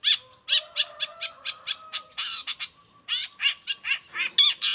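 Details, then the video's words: A long-tailed shrike sings as a model for other shrikes, a rapid run of sharp repeated notes over a faint steady tone, then harsher rasping chatter. "Cendet gacor cocok buat masteran juga pancingan cendet lainnya"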